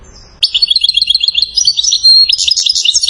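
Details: European goldfinch from Settat, Morocco, a rare recording of a bird praised as a king of chain-style (salasiyat) singing: a fast run of bright, high twittering notes, tightly repeated and rising into buzzy trills.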